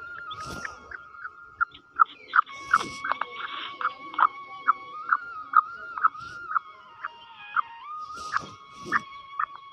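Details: Female black francolin calling, a series of short clipped notes near the same pitch repeated roughly every half second, with a steady tonal hum running underneath and a few louder broadband bursts.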